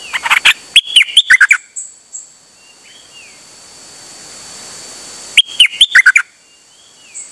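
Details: A Dok Taeng bird on 8 September 2023, taken out and singing without stopping. Two rapid bursts of loud chattering, chopped notes come about four seconds apart, with faint slurred whistles between them.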